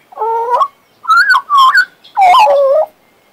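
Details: A pet male Western Australian magpie gives a wavering, hollow, double-toned whistle, then two bright slurred notes and a longer, rich, descending warble.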